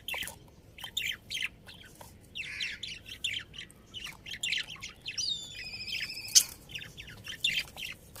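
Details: Breeding pair of budgerigars at home, chattering steadily with rapid scratchy chirps and buzzy squawks, broken by a few clear warbled whistles and one sharp click.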